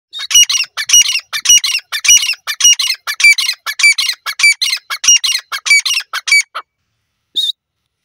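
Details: Francolin (teetar) giving a loud, harsh, strongly repeated call, about two ringing notes per second in a steady series for six and a half seconds, then a short pause and one final note.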